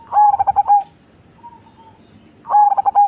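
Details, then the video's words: Two punchy cooing bursts from a large cemani zebra dove with a big, bassy voice. Each burst has five or six quick low notes and a drawn-out final one, with faint soft coos in the pause between them. "Perkutut Cemani Body Besar Suara Besar dan Ngebas"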